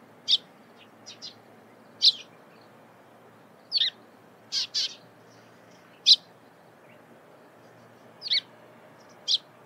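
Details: Eurasian tree sparrow at early morning near Lake Hamana, Japan: short, bright chirps, singly or in quick pairs, at uneven intervals over a soft, steady background hush.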